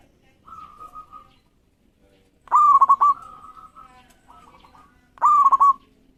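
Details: Local zebra dove singing eagerly to draw rivals into song: two loud phrases of a sharp coo and a quick rolling trill, with softer, drawn-out cooing from other doves before and between them.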